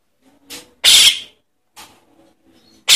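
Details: Calling of a young Javan myna, used to lure in adults: loud, broadband, raspy screeches of varying length, some softer rasps between, in a quiet setting.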